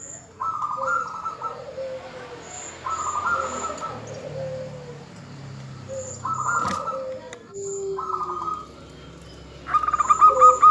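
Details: Female zebra dove calling to a male, used to lure males into singing: short stuttering trilled bursts repeated every two to three seconds, mixed with lower soft cooing notes, with a sharp click near the middle.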